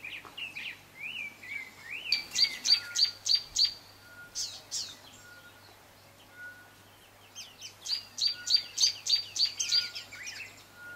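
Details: Speckled mousebird (Colius striatus kiwuensis) in Kibuye, Rwanda, March 2013, giving two quick bouts of about six sharp, high ticking notes each, with a few softer thin whistles between.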